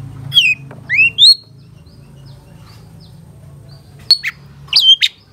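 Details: Long-tailed shrike (cendet) on a tutor recording for caged birds: a few clear, slurred whistles rising and falling, widely spaced, including a sharp click-like note, separated by quiet stretches with low hum.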